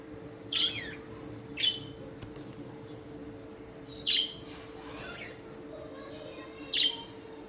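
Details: A pair of budgerigars give short, bright chirps at irregular intervals over a steady low electrical hum.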